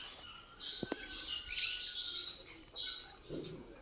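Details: Lovebirds giving shrill, high-pitched chirps and squeaky bursts in irregular clusters, with a brief lower tapping sound near the start and a faint steady tone underneath.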